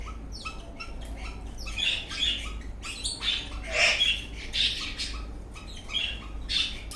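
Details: Happy eastern rosella parrot dancing, mixing rapid short chirps with louder rough squawky bursts every half second or so, fairly close and loud over a low hum.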